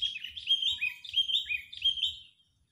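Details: Sooty-headed bulbul in full angry mood, recorded as a trapping lure, pouring out continuous bubbling, slurred chattering phrases that dip and rise, fading out after two seconds.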